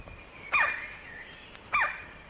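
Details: Male White-bellied Woodpecker, crimson-crowned, in Malaysian rainforest, recorded late 1950s to early 1960s: two loud, sharp, descending piercing call notes about a second apart over a steady high insect hiss.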